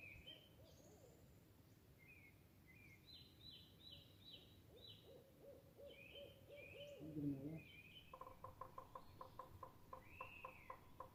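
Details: Birds in a forest: short whistled and chirping notes from several callers, a steady row of soft low hooting notes midway, then a fast train of evenly spaced clicking pulses near the end, over a hissy background.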